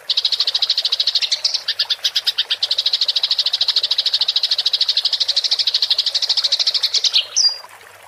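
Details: House sparrow in fighting-style rolling chatter, 'gereja tarung ngerol', used as training material for songbirds: a fast, dense run of sharp chirps repeated several times a second for about seven seconds, ending in a brief thin whistle.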